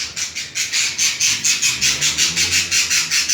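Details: Pair of budgerigars during mating: a steady train of rasping pulses, about five a second, evenly spaced and equally loud throughout.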